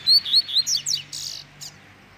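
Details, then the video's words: Tui tui zel zel song of a double-collared seedeater, used to train young birds: three bright whistled notes, then quick falling slurs and a harsh buzzy burst that fades out. "Encarte Coleiro Tui Tui Zel Zel Cantando Ao Som Da Natureza"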